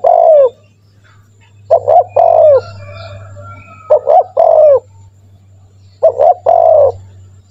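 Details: Spotted dove calling vigorously, played to coax other doves into calling: four mellow phrases of two brief notes and one long descending coo, spaced roughly two seconds apart, with a low hum in the background.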